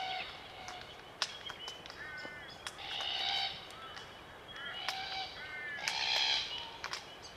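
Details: A small flock of Glossy Black Cockatoos feeding on Allocasuarina cones in the Australian bush of the Macleay River valley, NSW; creaking, grating harmonic calls recur every second or two, with sharp clicking feeding sounds between.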